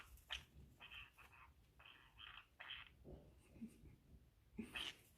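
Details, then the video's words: Indoor pet green-cheeked conure, a female, busy destroying a pocket she sits in, possibly wanting to mate: a few drawn-out grating notes and sharp squeaks, with a scraping rustle underneath. "Green Cheek Conure making Strange Noise"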